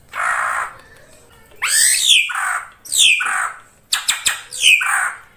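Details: Ashy drongo singing actively, recorded for use as a lure: a raspy hiss, then several loud falling slurred notes mixed with harsh scratchy tones, plus a quick run of clicks.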